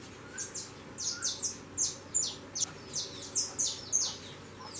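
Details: Steady run of roughly a dozen piercing, downward-slurred chirps, two or three per second, from saffron finch chicks leaving their nest and flying; faint low hum underneath.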